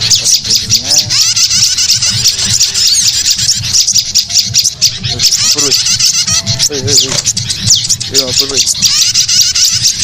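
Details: Prinia lure sound for attracting birds, a continuous stream of sharp high chirps and short rising-falling twitters packed closely together, with a few lower whistled notes and a low background hum.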